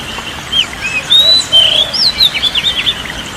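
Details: Oriental magpie-robin singing, offered as therapy for a stressed bird reluctant to sing: varied high whistled phrases with upslurs and downslurs, ending in a fast series of repeated sharp notes, against constant hissing noise.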